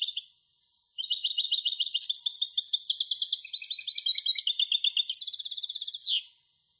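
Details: Hybrid European goldfinch (mule) singing: a long rapid twittering phrase of buzzy trills in the upper register, running for about five seconds and ending in a dense, higher rattling trill that drops away.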